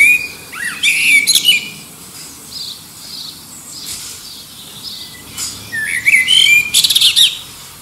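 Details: Male-style courtship singing from a common blackbird competing with other distant birds for a mate, recorded under the Liverpool airport flight path and enhanced: two fluty warbled phrases, each ending in a squeaky twitter, separated by a quieter pause.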